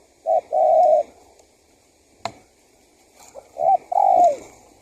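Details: Male spotted dove giving a lure call to attract wild doves: two soft phrases, each a short note and a long coo, with a faint click between them.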